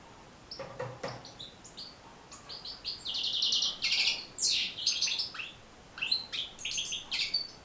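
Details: European goldfinch song used to teach and encourage other goldfinches to sing: after a quiet start, fast twittering phrases of high, tinkling and buzzy notes run on continuously, with a few sharp clicks early on.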